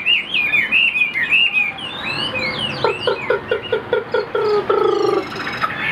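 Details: Singing Chinese hwamei in a cage: high looping whistles at first, then a series of lower, evenly spaced clipped notes repeated about twice a second, ending in a fast buzzy flourish.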